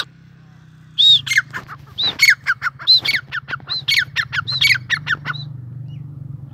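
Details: Grey francolin, known as Sindhi teetar, gives a loud rhythmic run of arched whistled notes, each followed by quick harsh downward notes, repeated for about four seconds before stopping, with a faint hum behind.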